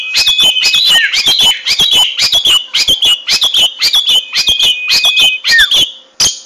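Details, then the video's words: Long-tailed shrike singing loudly and persistently: harsh, rapidly repeated scratchy notes mixed with short whistled slurs, several times per second, in close, unbroken bursts. "burung cendet gacor"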